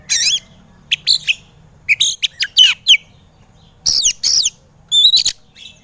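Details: White-rumped shama song meant to stir lazy birds into singing: short clusters of slurred whistles and scratchy notes, each burst followed by a brief silence.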